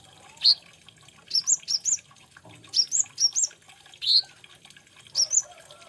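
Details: Olive-backed sunbird (kolibri ninja) singing high, piercing notes, often in quick pairs and triplets of rising-falling chips, spaced across a few seconds of otherwise quiet background.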